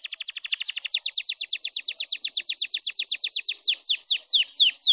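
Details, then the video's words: Singing canary, meant to excite and prepare other birds, delivers a long run of rapid downward-sweeping high notes that gradually slow and widen into separate slurred whistles near the end. "افضل تغريد كناري للتهيج و التجهيز chant kanri"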